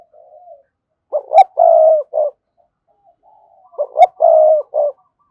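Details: Spotted dove giving rapid coos to call rival wild doves: two full phrases about three seconds apart, each two clipped notes, a long steady coo and a short closing note, with soft murmurs between.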